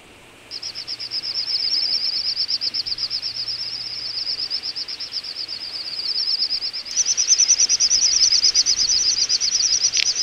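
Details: Wintering little bustards at Ag-Gol National Park, Azerbaijan, in November 2014: a fast train of high whistled pulses begins after a short quiet, then a louder, higher overlapping series takes over partway through.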